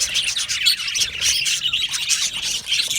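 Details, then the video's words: Australian budgies in a colony aviary, a steady wall of high twittering and warbling with quick squeaky notes and slight dips in loudness between bursts. "Australian Budgie parrot chirping sounds"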